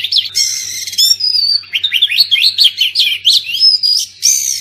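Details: Oriental magpie-robin song meant to stir silent kacer into singing. Short buzzy rattles give way to quick chattering whistled notes that rise and fall, closing with a drawn-out clear whistle and a harsh burst, over a faint hum.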